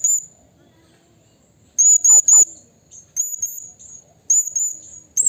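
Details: A blue-crowned hanging parrot calls to a rival in the wild, used as a training and lure recording: a thin high whistle, then rapid series of loud, squeaky, very high-pitched notes in threes.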